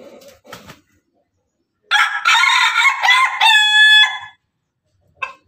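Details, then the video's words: Pelung and Ketawa chickens kept together; after brief low clucking, a long, loud crow of over two seconds with a broken, stuttering middle and a drawn-out steady final note, then a short call at the end. "ayam pelung ayam ketawa bersama"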